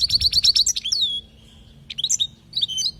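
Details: European goldfinch from Palestine singing for young birds to learn: a fast series of repeated buzzy trilled notes, then a long falling whistle, a pause, and further bright twittering phrases, with a low hum beneath.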